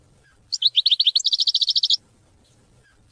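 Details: European goldfinch singing a brief phrase of rapid twittering notes, a quick run of high chirps followed by a fast trill of about a dozen even buzzy notes, then quiet.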